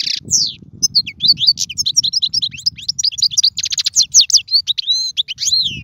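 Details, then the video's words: European goldfinch pouring out song intended to teach young birds: an unbroken cascade of quick tinkling, twittering and buzzy notes, rising and falling slurs mixed in, with low background rumble. "اسمع المقنين واعطي رايك فيه,افضل تغريد لتعليم الفراخ"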